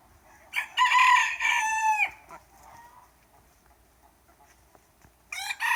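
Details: Roosters crowing in the morning, one of a bunch calling non stop: a loud, harmonic-rich crow of about one and a half seconds that falls off at the end, then quiet before another crow begins.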